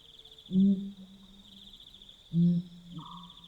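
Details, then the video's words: Pel's fishing owl calling at night in Botswana: two deep booming hoots about two seconds apart, each trailing into a low hum, over a steady high insect trill. "Pel's Fishing Owl Call - The sounds of a Pel's Fishing Owl calling at night in Botswana"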